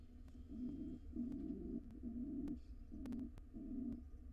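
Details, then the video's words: A wild pigeon of a courting pair in a nest box gives five short low coos, evenly spaced about every two-thirds of a second, over a low room hum. "Pigeon pair court each other."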